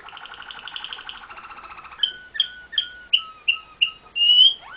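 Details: Waterslager (Malinois) canary singing: a fast, even rattling trill for two seconds, then a series of bright, liquid, bubbling notes repeated roughly every third of a second, ending in a longer rippling phrase; quiet background.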